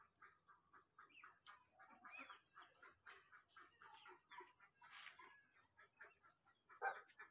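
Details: Goslings crying while looking for their mother. Quick, high, thin peeps repeat rapidly and overlap throughout, with one louder peep near the end, in a quiet setting.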